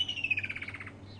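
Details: Woodland Kingfisher, a summer migrant heard for about a week, calling in the mating season during a summer sunrise safari drive, gives a sharp high note running into a fast, falling trill over a low engine hum.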